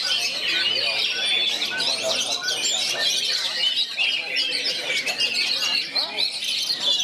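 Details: Oriental magpie-robin, one of three near each other, singing in the bagong and kerayu style; dense, fast run of sharp whistled and chattering phrases, nonstop over several overlapping birds, with faint human voices beneath.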